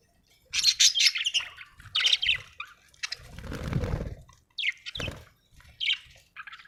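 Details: Budgerigar chirping happily in short scratchy bursts, with a spell of wing flapping or rustling in the middle.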